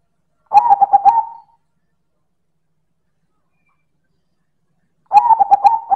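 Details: Loud manggung song of a silver perkutut (zebra dove): two rolling, pulsed coo phrases separated by about four seconds of silence.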